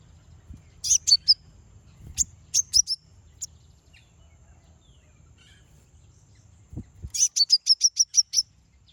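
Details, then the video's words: Konin song meant to stir other konin into answering: scattered high chirps in small groups, then a fast even string of about eight sharp, high chirps. "Konin bunyi manggil lawan"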